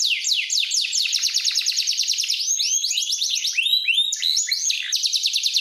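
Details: Powerful canary song for training, a nonstop sequence of quick descending sweeps merging into rapid rattling trills and brief whistled slides, bright and high-pitched.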